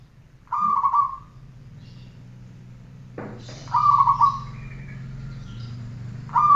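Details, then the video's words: Zebra dove from a training recording: three vibrating coo phrases, each roughly a second long, with a low hum underneath and a sharp click before the second phrase. "Masteran perkutut 1 jaman"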